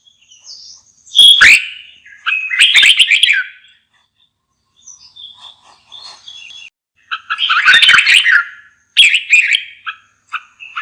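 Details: Red-whiskered bulbul giving spaced bursts of loud, rich whistled chatter with sharp onsets, quieter soft notes between phrases.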